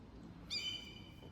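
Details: A seagull flying overhead in Bergen, Norway, in summer gives one brief, high, squealing squeak that falls slightly in pitch, over a low outdoor rumble.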